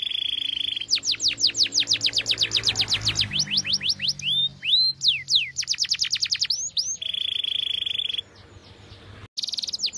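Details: Canary song used to train young canaries, described as a powerful walnut-style song; fast series of descending whistled sweeps alternating with steady buzzy trills, some upslurred notes, a brief drop in the middle and low hum beneath.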